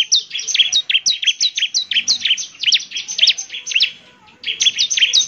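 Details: Bar-winged prinia in full, lively song used to get other prinias answering: dense, high, zigzagging chirps delivered rapidly, briefly stopping near the fourth second before resuming.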